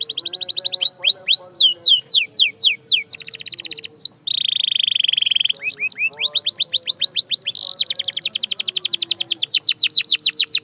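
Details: Canary song from a singing-training recording: loud, fast rolling trills of repeated downward sweeping notes, a harsh buzzy tour near the middle, then rapid rising-falling rolls, with faint low hum beneath.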